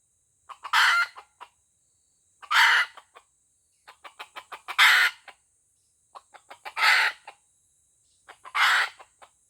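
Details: Aceh junglefowl, a white-legged F1 decoy bird, crowing: short harsh bursts about every two seconds, each followed by a quick run of soft clucking notes.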